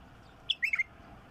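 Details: Wild bulbul singing one short phrase: a clear whistled note followed by three quick liquid, slurred notes dropping slightly, all within under half a second, over a quiet background.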